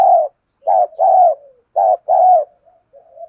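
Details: Decoy spotted dove with a đồng pha thổ voice, cooing to draw wild males into calling: a steady phrase of five rich coos, paired short-long, with soft trailing notes fading at the end.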